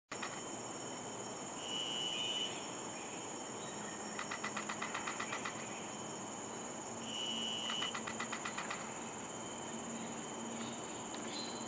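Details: A female yellow-rumped flycatcher (Ficedula zanthopygia) at Dairy Farm during migration season gives a short high whistle followed by a quick dry rattle of clicks, heard twice about five seconds apart over a steady insect hiss.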